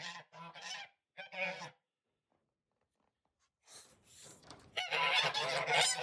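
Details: Domestic geese on a homestead farm honk as the farmer walks away: harsh, nasal honks in short bursts, a quiet gap of about two seconds, then a loud, overlapping chorus of several birds honking together.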